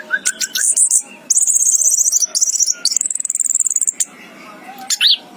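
Orange-headed thrush pouring out a fast, very high-pitched medley: thin buzzy trills, rapid ticking runs and a few lower whistled notes, with brief pauses between bursts.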